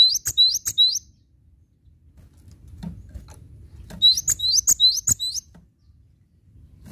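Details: Cinereous tit (Parus cinereus), song.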